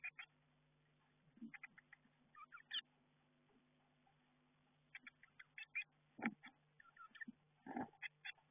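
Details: Eurasian blue tit chicks inside a garden nestbox as they get ready to fledge: quiet bursts of short high chirps in small clusters, with soft thumps and a faint steady low hum in between.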